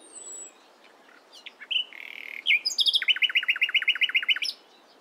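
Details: Nightingale in morning song, opening with a high thin whistle and scattered notes, then a buzzy rattling phrase followed by a rapid, even string of about a dozen bright repeated notes.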